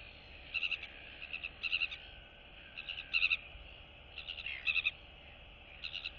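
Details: Royal albatross chicks in the colony greet and interact with one another on 9 September 2022, trading high, chirpy, stuttering calls in short clusters about once a second, over a steady hiss of wind.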